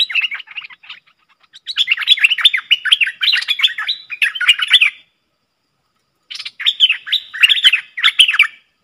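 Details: Two Streak-eared bulbuls dueling fiercely in song, recorded 30/10/2021. Soft opening notes build into a long stream of quick, liquid chirps, then a pause and another energetic burst.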